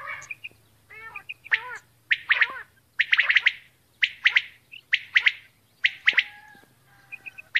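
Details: A female common quail utters rapid sets of two or three harsh chirped notes, repeated roughly every second, mixed with some lower wavering tonal calls and light high pips; a steady low hum underneath.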